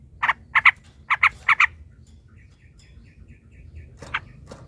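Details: Yellow-vented bulbul giving a brief series of five loud, scratchy chattering notes, followed by a faint twittering phrase and one final harsh note, used to goad other bulbuls into song.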